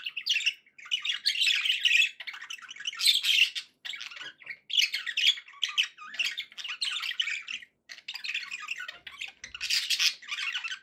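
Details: Happy pet budgerigars giving near-constant scratchy warbling chatter, rasping bursts and squeaky chirps, with brief pauses between phrases and a faint low thump near the end.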